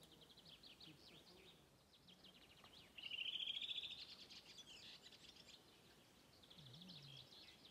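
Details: A redwing on Åstholmen on 29 May 2021 sings a local dialect song of high, quick twittering with a brighter, slightly rising phrase in the middle. Faint low voices or rumble sit underneath.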